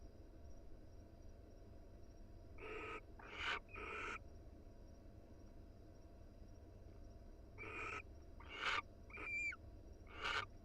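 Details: Wild barn owl pair huddled together in a nest box: clusters of short rasping screeches and harsh hisses in two bursts, with a couple of thin wavering twittering notes near the end, over low steady hum.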